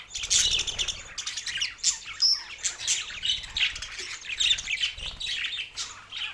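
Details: Pet budgerigars, two males, chattering nonstop in rapid, raspy high chirps and squawky notes, loud bursts rising and falling over a continuous warble.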